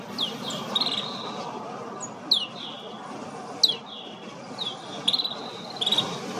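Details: Snow bunting from Kananaskis, Alberta, Canada: thin descending high whistles alternating with short buzzy trills, in loose bursts over a steady hiss.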